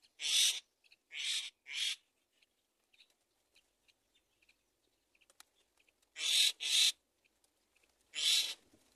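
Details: Nestling mynas awaiting a feed from their mother utter rough hissing rasps in groups of two or three, separated by several seconds of near silence.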